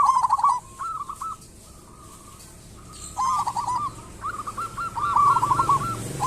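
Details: Local-type zebra dove in full song, used as a lure recording: soft purring coos, then a quiet stretch, then rippling stuttered coo phrases building louder toward the end.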